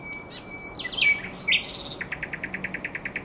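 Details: Nocturnal common nightingale song at the Żerań Canal, April 2022: whistled swoops and a steady tone, a harsh burst, then a quick even series of high repeated chips.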